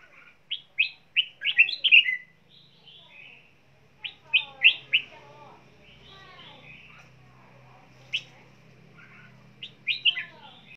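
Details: Red-whiskered bulbul, a caged pet bird, singing while flapping its wings: bright whistled notes in quick bursts of three to six, with rising and falling slurs, separated by short pauses; faint lower chattering and a soft hum underneath.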